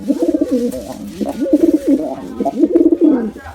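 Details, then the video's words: Rapid, continuous rolling coos from a male and female pigeon attacking together, low warbled phrases following one another without a break. "Male & Female Pigeon Combo Attacks Sound"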